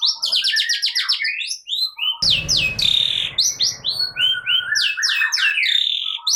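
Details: Caged long-tailed shrike in agitated, full song: quick stuttering buzzy notes, then after a brief rustling noise a run of varied descending whistles and harsh swoops continuing steadily.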